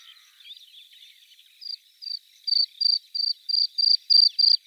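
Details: Bluethroat: a faint, low warble gives way to a clear run of short high notes repeated about three times a second, growing louder.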